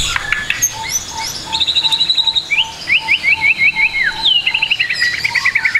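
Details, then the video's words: Song of a trotol white-rumped shama, recorded as training material: high rapid trilled runs and a sequence of bouncy up-slurred notes, over a steady low pulsing note repeating about every third of a second. "MASTERAN MURAI BATU TROTOL AGAR CEPAT BUNYI, MURAI BATU FULL ISIAN"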